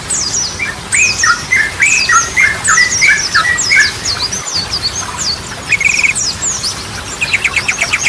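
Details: Singing Yellow-vented bulbul, its varied Ropelan and Goklikan patterns serving as a lure for birds that stopped singing; rapid sharp chirps and descending slurs, with brief rattling trills near the end.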